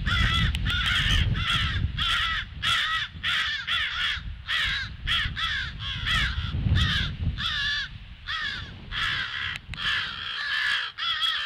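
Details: A long, rhythmic string of rasping crow caws on 18 February at 08:50, the alert repeated roughly twice a second by several birds, over a steady low rumble.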